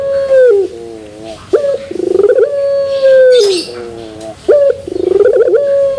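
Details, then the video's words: Turtle dove, puter pelung style with metallic terasan ending, cooing a strong low note that drops away, then a bubbling pulsed phrase into a long even closing tone, the sequence starting again. "Puter Pelung Terasan Bermetal"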